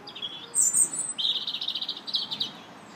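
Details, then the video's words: Robin singing in a park on March 2nd, opening with very high squeaky notes, then a fast, rattling trill of rapid repeated notes lasting over a second. "Robin Singing"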